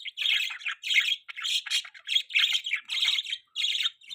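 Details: Pet budgerigar chirping during mating, with a run of harsh, buzzy chirp bursts repeated about every half second in steady chatter.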